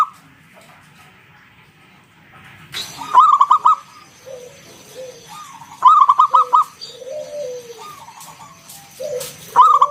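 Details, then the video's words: Local wild zebra dove singing loudly in the ngalun style with round kung notes, a lure to draw other zebra doves to sing; three bursts of four to five rapid bubbling coos, with softer low sliding whistles between. "Suara NGALUN Kung Bulat - Perkutut lokal gacor Pancingan"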